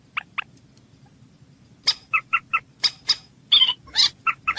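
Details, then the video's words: Common moorhen giving short, harsh clucking notes, two at first, then a quicker uneven run of about a dozen sharp, croaky calls over a low background hum. "Moorhen bird amazing voice"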